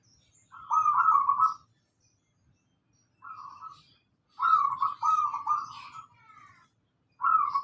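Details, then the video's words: Local zebra dove singing, used as a lure for cage birds: a string of vibrant, rolling coo phrases, one long run of several linked trills and shorter single phrases between pauses. "pancingan perkutut lokal gacor"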